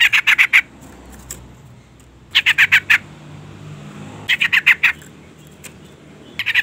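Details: Female sooty-headed bulbul call used to lure and stir a male: repeated clusters of five or six scratchy, squawking notes, each burst lasting about half a second to a second, with quiet gaps between, faint low rumble beneath.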